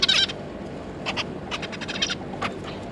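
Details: Zebra finch family, a pair with three juveniles, 9 June 2022. A short burst of dense chatter opens, followed by softer, brief nasal notes over steady background noise.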